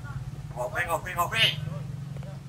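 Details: A common hill myna, a bird that mimics people's speech, utters a brief, word-like phrase of a few syllables, slightly higher than a man's voice, over a steady engine rumble.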